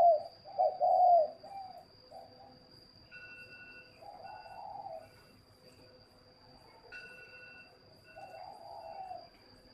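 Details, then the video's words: Captive spotted dove at a bird breeder in Ba Vì district, Hanoi, Vietnam, gives a loud burst of soft, low coos at the start, then quieter coo phrases trail off against a steady electrical whine and faint background hum. "chim cu gáy hay"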